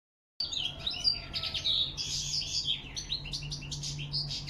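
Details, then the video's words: European goldfinch singing in autumn, October 2021, with crested lark whistles mixed in: dense, rapid, tinkling high twitters and buzzy trills running continuously, over a steady low hum. "Осеннее пение щегла под высвисты посметюха"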